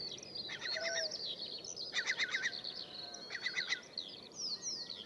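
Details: A breeding-season Eurasian curlew, most likely a male guarding chicks, gives its alarm call while approaching the recordist to drive him off: three bursts of rapid, harsh yakking notes, each about half a second, with thin high whistles from other birds behind.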